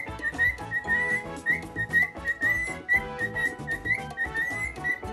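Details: A pet monk parakeet or cockatiel, owner unsure which, sings nonstop, a bright, wavering whistled phrase repeated about twice a second, above loud background music with a steady beat.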